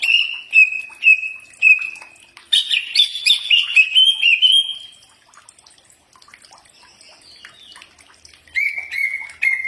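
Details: Common iora whistles for prompting a reply: three spaced level notes, then a run of quick warbled phrases, a quiet spell, and a final pair of whistled notes.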